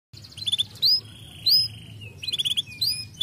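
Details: Canary song used to stimulate lazy canaries into singing: sharp high chirps, short rising whistles and a long flat whistled note, delivered in bursts with brief pauses between phrases.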